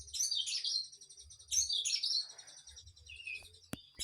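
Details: Energetic kinoi song of fast, high twittering phrases and a descending whistled slur, ending with a couple of sharp clicks, over low background thumps.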